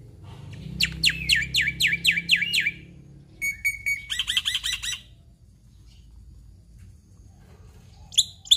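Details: Black-winged myna in lively 'gacor full isian' song: a string of swooping downslurred whistles, a few clear piping notes, a burst of buzzy chatter, then a pause and two sharp notes.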